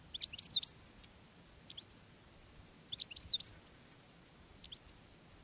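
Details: Decoy goldfinch calling to wild field goldfinches on a day out in the countryside; quick clusters of sharp, high tinkling notes come in bursts, with single chirps between them and quiet gaps.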